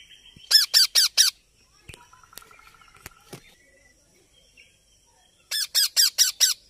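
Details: Baby parrot's rough, downslurred squawks come in two bursts of four and five, separated by several seconds of faint clicks, a short buzzy tone and soft background noise.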